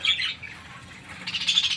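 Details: Parakeets in a small captive colony, recorded 14 January 2025; two bursts of bright, scratchy chirping, one at the start and a longer one at the end, with a quiet gap between.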